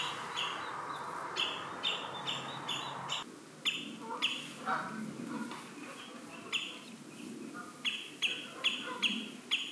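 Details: Common redshank with four chicks on open ground at Marshside RSPB Reserve, Southport, Lancashire, mid-July 2018; persistent high, clipped piping calls repeat in quick runs through the recording, with faint broadband background noise.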